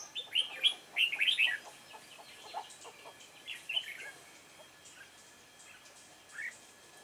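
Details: Red-whiskered bulbul with a dark bib, trapped with a decoy bird on 28 February 2017. A lively cluster of warbled, slurred notes opens the recording, then fades to scattered softer chirps and one late note.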